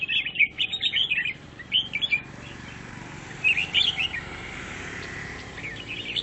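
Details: Grey-cheeked bulbul chattering in song: bursts of rapid, bubbly warbled notes, then a pause and another jumbled phrase, over a steady low background hum.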